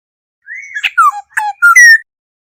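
A Black-hooded oriole gives a short run of rich, fluty whistles, a rising slur followed by several clear, mellow notes within about a second and a half.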